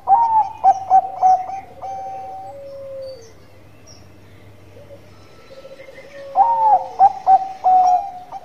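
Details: Singing Bangkok zebra dove: a burst of rapid staccato coos, a quiet stretch of steady drawn-out tones, then another rapid stuttering phrase near the end.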